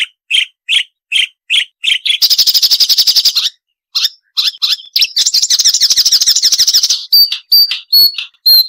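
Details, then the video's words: Marsh warbler song, a sharp noise-free training recording for songbirds, including crecetan chatter: short high chirps repeated about twice a second, then a buzzy rapid chattering run, a pause, more fast chatter, then thin piercing whistled notes. "Masteran Burung Suara Tajam - Masteran Nembak Tajam - Mars Warbler"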